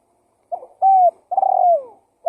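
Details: Single spotted dove lure phrase: a soft stuttered note, a clear level coo, then a long purring coo that drops in pitch, ending with the start of another short coo.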